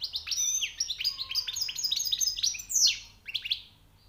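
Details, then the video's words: Newly caught European goldfinch singing high notes: a fast, continuous run of bright twittering, liquid chirps and short buzzy trills, ending in a sharp rising note and a few last chips. "غناء_ مقنين_ جديد_ نوطاة_ عاليه_ومفقودة_حسون _صيد جديد_#chant chardonneret"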